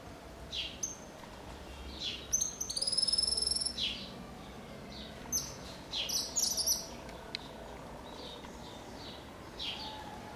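A cattle tyrant gives thin, very high chirps and brief sharp twittering bursts, scattered irregularly, with a faint steady background hum.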